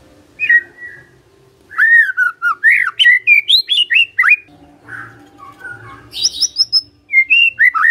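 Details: ['Magpie-robin delivering a loud, varied song of rich arched whistles in quick succession, then softer warbles and a high buzzy phrase before the whistling resumes.']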